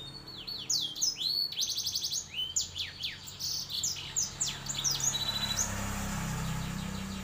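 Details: Song of a canary and black-throated canary cross: quick high swooping notes and several rattling buzzy trills in close succession, fading into steady low hum near the end.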